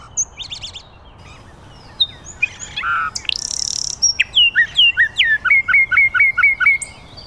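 A common nightingale sings a varied phrase of clicks, buzzy trills and a low fluty note, ending in a rapid string of repeated whistled notes, about eight in two seconds.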